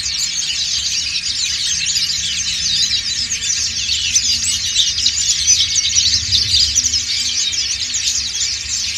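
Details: Group ngriwik singing by dakun and montanus white-eyes, meant to coax other white-eyes into song; a steady, busy blanket of high, rapid chirps and trills that swells slightly in the middle, with a low background rumble.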